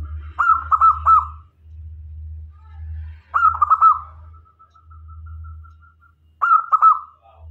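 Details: Local zebra dove kept as a decoy to lure other doves: three mellow, rolling cooing phrases, each a stuttered burst ending in a drawn-out tone, spaced about three seconds apart over a steady low hum.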